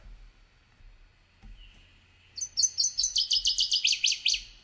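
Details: Northern Waterthrush three-part song, 'sweet sweet sweet, wee wee wee, choo choo choo': a loud, emphatic run of about a dozen sharp notes stepping lower toward the end, over a faint low hum.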